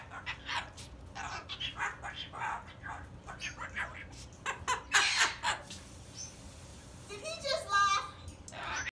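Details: Pet cockatoo babbling a story in quick speech-like syllables, several per second, then finishing with a bubbling, laugh-like burst of harmonic cackles that it seems to find funny.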